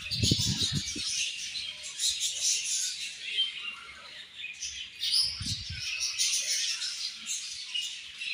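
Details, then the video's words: Morning feed for a group of budgerigars: busy high twittering and chirping runs throughout. Brief low thumps or rustles come at the start and around the middle. "Beautiful Budgies Morning Feed And Chirping Sounds"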